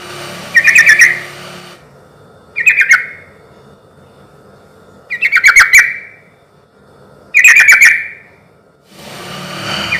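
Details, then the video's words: Sooty-headed bulbul singing as a lure to get other bulbuls to respond: five bright, bubbly phrases of rapid chattering notes, each about half a second long, repeated every two seconds or so. "suara trucuk gacor ini ahlinya bikin pancingan trucuk yg macet akibat ombyokan pasti nyaut bunyi"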